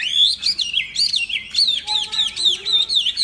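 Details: Chinese hwamei, a tame bird, pours out a fast continuous stream of looping, rising and falling whistles with barely a pause.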